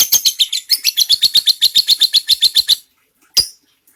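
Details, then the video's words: Lovebird ngekek song for tutoring white-rumped shama: a quick series of about twenty high, buzzy chattering notes over nearly three seconds, then silence broken by one lone sharp note. "LOVEBIRD NGEKEK PANJANG"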